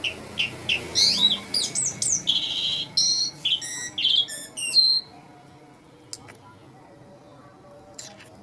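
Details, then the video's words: Asian pied starling singing, a recording offered for luring nervous starlings: about five seconds of varied, rapid whistled and warbled phrases with sliding and stepped notes, then near silence broken by a couple of faint clicks. "Bird Jalak Suren Madu, Merdu Banget Ini Suara Burung Gacor"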